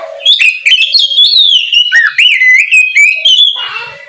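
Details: Oriental magpie-robin in full ngeplong song in the morning, intended to get untrained birds singing: a continuous, loud stream of fast whistles, slurs and trills sweeping up and down, ending in a lower warbled note.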